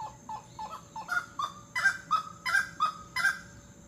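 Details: Costa Rican grey-necked wood rail giving its call: a rhythmic run of loud honking, clucking notes, about two per second, building in strength, with alternating higher and lower pitched notes; a faint steady whine sits behind.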